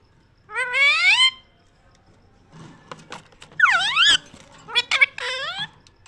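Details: Pet parrot talking: drawn-out, harmonically rich whistled and speech-like phrases, one rising, one sweeping down then up, another wavering, separated by quiet gaps filled with clicks and soft knocks.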